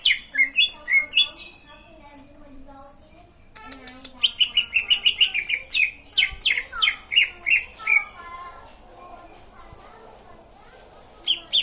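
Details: Green leafbird giving bursts of quick twittering and whistled notes, a long rapid sequence in the middle, separated by quieter stretches.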